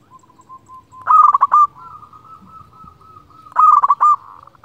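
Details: Local zebra dove from Indonesia, a frequent singer, calling out to rivals, recorded for luring doves. Two phrases, each a quick run of clipped cooing notes ending in a short held coo, separated by soft drawn-out humming coos.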